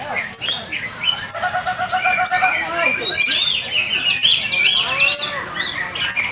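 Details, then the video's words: Song of a greater green leafbird (cucak ijo): bursts of quick ticking notes, buzzy trills and swooping whistles come in uneven phrases, broken by a few brief sharp clicks. "Cucak ijo FULL DURASI"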